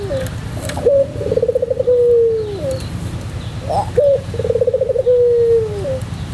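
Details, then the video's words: White pelung Barbary dove singing for bird training: paired low coos about three seconds apart, each a rapid throbbing trill gliding into a long, clear, slowly falling tone, over a steady low hum. "masteran puter pelung putih manggung"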